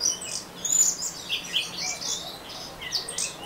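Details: Ngeriwik song of an orange-headed thrush, a quick run of high chirps, thin whistles and buzzy fragments jumbled together without a steady rhythm, over low steady background hum.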